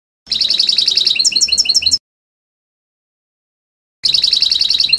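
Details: European goldfinch song from a 2020 song CD: bursts of fast, bright twittering roughly three notes a second, broken by two seconds of silence before resuming.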